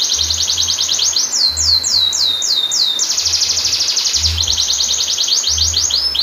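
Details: Canary delivering long-roll song to coax silent canaries into singing: bright rapid trills alternating with series of looping downward whistled sweeps, continuous and loud.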